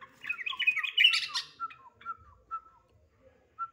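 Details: Sooty-headed bulbul call used as a lure to provoke other bulbuls into calling: a burst of rich, bubbling chatter for about a second, then several clear, short whistled notes about every half second.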